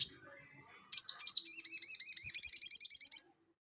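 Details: Crested jay (sogon) singing in the lively ngeleper style, used as tutor audio to prompt cage birds. A brief high chirp comes first, then after a pause a fast, even rattle of sharp high notes lasting over two seconds.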